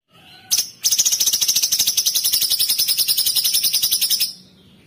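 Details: A bulbul (cucak cungkok) gives a short high note, then a fast, even burst of about thirty bright, shrill notes lasting over three seconds. No other sounds are heard.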